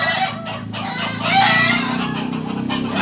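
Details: Native Solok singing chickens of the Kukuak Balenggek breed crow in overlapping, sustained harmonic phrases, peaking near the middle, while faint clucking and a droning low background continue.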